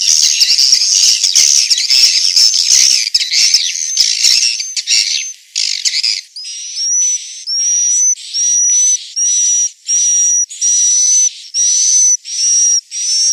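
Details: Inap roosting call of swiftlets from Central Sulawesi: a busy buzzy chatter at first, then evenly spaced hissing bursts, each carrying a short whistled tone, repeated roughly every second.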